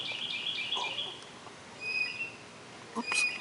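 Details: Blue Jay giving its squeaky rusty-hinge call in two short bursts over a few seconds, beside a creek in Summerville, South Carolina, with faint outdoor background noise.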